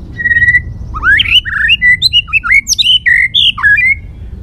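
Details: Stimulated white-rumped shama delivers a varied, many-voiced song with tail beating. A steady whistle leads into a rapid run of rising and falling slurred phrases and clipped notes.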